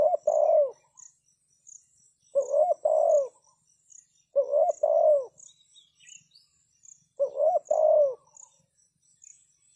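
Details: Decoy spotted dove cooing to attract wild doves. Four husky coo phrases, each a brief note followed by a drawn-out rolling coo, spaced by pauses of about two seconds, with shrill insects droning throughout.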